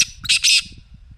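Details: Black francolin voice used to get a quiet partridge calling: a brief rasp followed by two drawn-out, harsh, grating notes in quick succession, clear and loud, with faint low rumble beneath.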